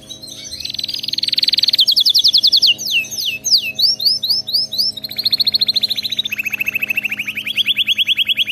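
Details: Canary singing, meant for training pet canaries: loud, rapid rolling trills repeated at a fast pace, sliding notes in the middle, then a long steady lower trill.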